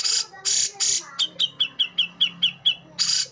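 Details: White-throated bulbul, a bird also named cucak jenggot or brown-cheeked bulbul (Alophoixus bres), possibly male: three harsh, scratchy rasps, then eight quick, sharp, slightly falling notes at about four per second, and a final rasp.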